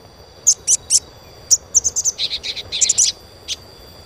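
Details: Crimson sunbird (sogon) twittering as a stimulus sound for young birds: a lively sequence of very high, sharp chirps, some single, some in rapid strings, with a slightly lower run of notes in the middle.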